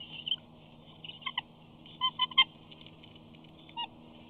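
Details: Young eagle at Big Bear, on 8-2-19, trying to reach the nest where a parent feeds on a fish. Short, high, squeaky chirps come in small clusters with pauses between them.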